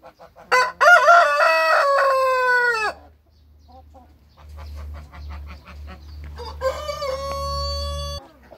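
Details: Backyard rooster, a BSO or Light Brahma, gives a long, harmonic-rich crow of about two and a half seconds, then a second crow begins after a pause with low rumbling in between.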